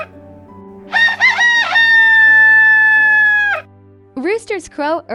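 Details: Said to crow early every morning, a rooster delivers one full crow of stuttered rising opening notes leading into a long, level, ringing tone, then starts a second wavering crow near the end, with quiet music playing underneath.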